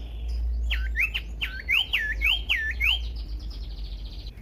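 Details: Common iora song for stirring other ioras into song: a lively chain of about six looping, rising whistled notes in quick succession, with a low rumble underneath.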